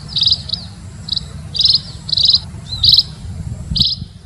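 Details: Munia (emprit) call for luring birds: short, high, buzzy-edged chirps at uneven intervals, sometimes in quick pairs, with a steady low-frequency rumble underneath.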